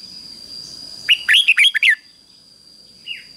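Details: Decoy red-whiskered bulbul singing in the 'ché' style to lure wild bulbuls in to fight: one quick warbled phrase of five bright, rolling notes, then a lone soft note later, over a steady high-pitched hum.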